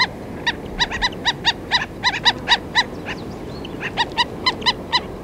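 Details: Feeding flock of black-necked stilts at close range: a near-continuous series of loud, nasal, yapping calls, some in quick pairs, several birds overlapping, with a steady low rumble behind.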